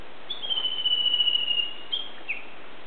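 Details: Japanese bush warbler singing unseen in green mountains, 17 May 2010, a song just short of its valley-crossing call: one long steady whistle held over a second, gently falling, then two brief clipped notes, over a soft hiss.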